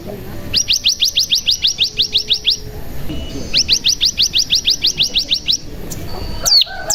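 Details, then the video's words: ['Cigun lure song meant to make other cigun sing and ngebren: two fast runs of short high rising chirps, about three per second, then a sharp sweeping note.'] "Pancingan Cigun Bahan Agar Bunyi Langsung Ngebren"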